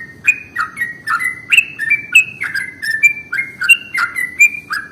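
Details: Sooty-headed bulbul song used as a lure to attract bulbuls: a steady series of clear, liquid whistled phrases, each a quick bubbly note sliding downward, repeated roughly every half second over faint low background hum.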